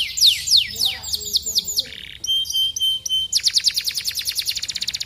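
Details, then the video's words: Canary song played to get other canaries singing: sharp descending sweeps, a brief pause, paired clipped notes over a level tone, then a bright rapid trill of evenly repeated high notes. "The sound of the canary makes other canaries participate in the sound"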